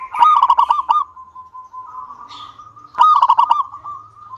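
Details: Local zebra dove singing vigorously to stimulate other doves to sing. Quick stuttering coos flow into a sustained level trill, then a second rapid burst of notes starts the next phrase.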